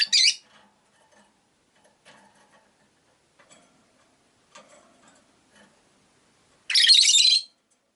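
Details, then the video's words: Captive rosy-faced lovebirds near a window: a harsh chirp opens, soft clicks and faint town noise follow, then a long, loud rasping call lasting nearly a second. "Lovebird Chirping Sounds"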